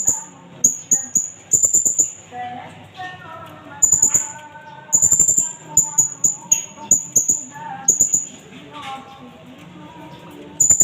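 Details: Blue-crowned hanging parrot from Indonesia recorded as a lure and tutor track. Long run of shrill, thin chipping notes in quick strings and single calls with short pauses, over distant mosque loudspeaker chanting.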